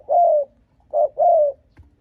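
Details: Spotted dove giving a provoking coo to lure rival wild males: one long, smooth, slightly falling coo, then a pause and a pair of a short note and a longer drawn-out falling coo, mid-pitched and clean with a quiet background.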